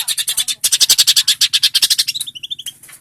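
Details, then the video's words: Long-tailed shrike in energetic continuous song used for tutoring other birds: rapid, evenly spaced harsh chattering notes, about three per second, high-pitched, ending in a few short whistled notes; low hum underneath. "Suara burung cendet gacor"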